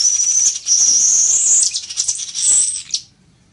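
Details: Village weaver singing: a loud, high buzzy and sizzling phrase of about three seconds, with thin whistled strands and chattering notes, ending abruptly into quiet.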